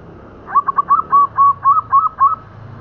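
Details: Local zebra dove cooing as a trapping lure: a quick run of about nine short, clear notes near one pitch, each slightly rising, delivered over two seconds against a quiet background.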